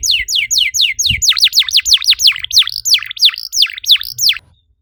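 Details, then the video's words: Canary singing as a stimulus for other canaries: quick descending chirps give way to deep V-shaped swooping whistles repeated steadily, ending in silence. "PANCINGAN EFEKTIF BURUNG KENARI, CORR DORRR!!"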